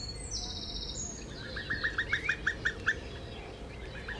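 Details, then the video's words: Female common cuckoo calling gives a fast bubbling run of about eight liquid notes, then a few more, after a high thin whistle from another bird over low background rumble, near a stork nest. "een roepende vrouwtjes koekoek"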